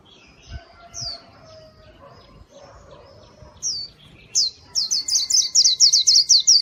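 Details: Pleci white-eye song, gacor style, played to lure wild birds: soft mid-pitched whistles and scattered high notes, then a fast run of about eight sharp, very high chirps at the close.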